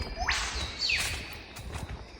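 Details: A whipbird in nature gives a thin whistle that rises steeply, then a sharp whip-crack sweeping down, over faint background rustle; a catbird and another whipbird are also heard nearby.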